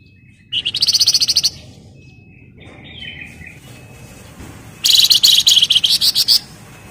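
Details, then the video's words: Wergan jawa (flamboyan) in gacor ngebren rapat song: two loud bursts of fast, tightly packed high chips, each lasting about a second, separated by a quieter stretch with a thin whistled note and soft twitters. "Burung Flamboyan Gacor Ngebren Rapat/ Wergan Jawa"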